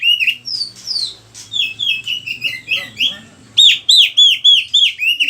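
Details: Lure song of an oriental magpie-robin for training other birds: varied slurred whistles at first, then a quick, steady string of bright repeated downward notes.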